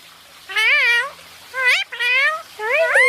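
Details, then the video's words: A basking pet Indian ringneck parakeet talks in three loud, harmonic bursts, each wavering up and down like speech syllables, in an indoor room where its owner keeps calling to it. "My parrot is basking and talking"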